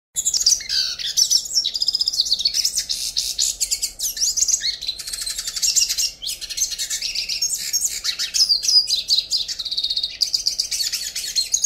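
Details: Yellow-faced siskin, an endangered finch of northeastern Brazil, singing a long, dense, high twittering song. Rapid warbles, buzzy trills and sweeping notes run almost without pause, with brief gaps near four and six seconds.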